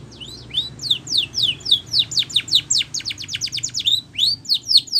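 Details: Spanish Timbrado canary in a training song for canaries, delivering an unbroken stream of high, crisp downward-swept chirps that speed up into a rapid tumbling series midway, then slow to wider spaced rising-falling notes.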